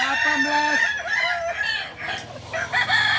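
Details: Crowing balenggek rooster at a practice contest in Ampang Kualo, Solok: bright tonal crow syllables that break into short pitch steps, with a lower, flat, hooting tone underneath at the start.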